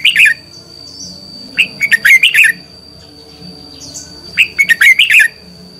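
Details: Red-whiskered bulbul lure bird in combative song, meant for training and prompting other birds to sing: two bursts of loud, chirpy, warbling phrases of rapid whistled notes, separated by a short pause, with a thin steady high tone behind.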